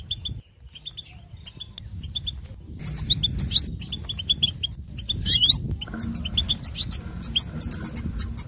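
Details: Female European goldfinch giving batbata, a chattering call played to stimulate males to sing and mate: dense bursts of high, thin twittering chirps, sparse at first, then rapid and near-continuous with sharp repeated notes. Low background rumble throughout.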